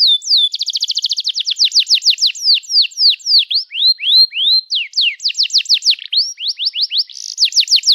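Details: Canary used as a singing prompt: varied phrases of fast trills and down-slurred whistles, with a brief run of low rising notes in the middle and a buzzy trill near the end.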